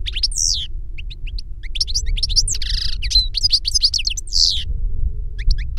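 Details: Older goldfinch singing to teach a younger goldfinch: quick high twittering notes with sliding, buzzy phrases in bursts, over a steady low background hum.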